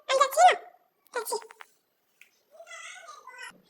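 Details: A pet parrot talking indoors: a few short, speech-like syllables, a pause, then a longer nasal, wavering utterance.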